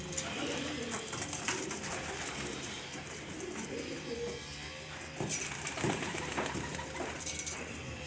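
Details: A dove on a farm gives soft, low cooing phrases, muffled against a busy background of broadband noise and clatter.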